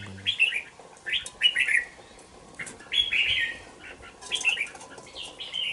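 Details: Caged two-month-old red-whiskered bulbul sings a string of short, twittering, slurred phrases, with wing flutters and cage rustles between them.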